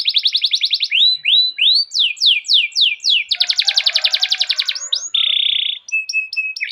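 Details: Rolling canary song serving as a lure for training canaries: a quick trill, a series of sliding whistles, a dense buzzy roll, a flat buzzing tone and sharp short chips.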